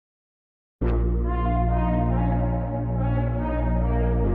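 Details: Sustained brass music starts after a short silence and plays steadily, with no animal voice.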